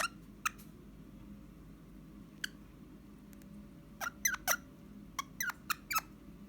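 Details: Pet Eastern rosella whistling indoors on request: short, sharp whistled chirps, some sweeping upward, scattered at first and then bunched in a quick burst near the end, over a low indoor hum.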